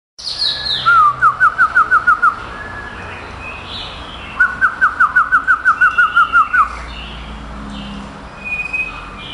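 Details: Male white-rumped shama, a caged competition bird placed third in Kuala Lumpur on 22 April 2012, singing two rapid runs of identical upslurred whistled notes, about eight to ten per run, separated by a short pause.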